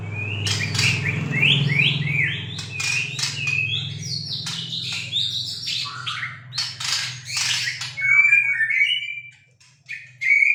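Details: Young Bornean white-rumped shama, kept as a cage bird, practising its song: rising whistles and rapid chattering phrases, high and varied, over a steady low background hum, ending in a brief pause and a final note.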